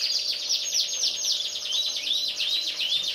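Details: Caged canaries, a black-red canary and a common yellow canary: a fast, continuous song of high, rapidly repeated trilled notes and sweeping chirps with no pauses.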